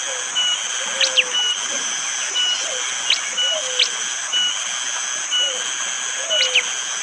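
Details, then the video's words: Morning forest recording from Wonocoyo Village, Panggul, East Java, Indonesia, made on an Android phone amid rain: a bar-winged prinia repeats sharp, piercing 'tembakan' notes, paired with thin steady whistles, against a constant high insect drone. "Tembakan burung prenjak jali!!"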